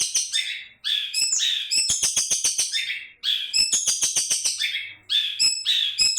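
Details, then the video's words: A caged long-tailed shrike sings while described as happy, giving rich, varied, harsh and whistled phrases broken by rapid rattling series of sharp clicks, in three bursts separated by brief pauses. "cendet bara sedang bahagia"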